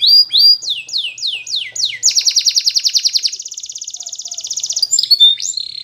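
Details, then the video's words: Training song of a Spanish Timbrado canary: repeated falling slurs speeding into a long, loud, evenly pulsed metallic trill, closing with a few sharp swept notes; otherwise quiet. "The Best Canary Sound !! Training Canaries To Diligent In Singing"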